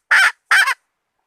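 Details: Hen used as bait giving two loud, harsh, nasal squawks, the second slightly wavering, with a brief gap between them.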